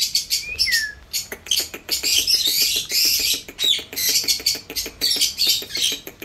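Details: Indian ringneck parrot giving a falling whistle, then rapid harsh chattering screeches over a steady, fast ticking sound.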